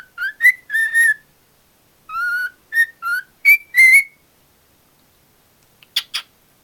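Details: A pet cockatiel whistles at its owner's foot, giving a run of clear, tonal whistles, some rising and some level, in short phrases.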